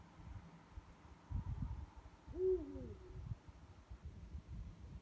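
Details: One of two Eurasian eagle-owls calling at night gives one deep, booming hoot, briefly rising then falling, over a steady low rumble.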